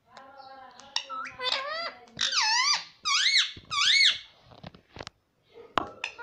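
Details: Pet ringneck parrot talking indoors in a small room: a run of squeaky, swooping harmonic syllables rising and falling, several loud arched notes in quick succession, then short sharp clicks and a final squeak.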